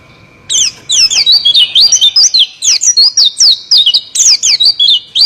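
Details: Oriental white-eye performing a 'ngeroll' rolling song: a continuous, fast stream of high, sharply swept chirps and twitters delivered in quick bursts with barely any gaps.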